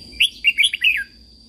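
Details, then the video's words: One red-whiskered bulbul song phrase, from Thailand, made for training caged birds: five or six quick, sweet whistled notes swooping up and down, ending in a falling slur, with a faint steady high tone behind. "นกกรงหัวจุก, เสียงนกกรงหัวจุก สำหรับต่อ หรือ เปิดให้นกคึก เสียงเพราะๆ"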